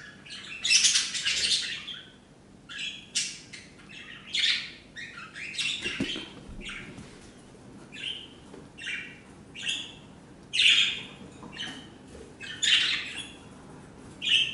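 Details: Four budgerigar chicks, aged 4 to 9 days, on a blanket on 25 August 2014 give a run of high, raspy chirps and squeaky cheeps.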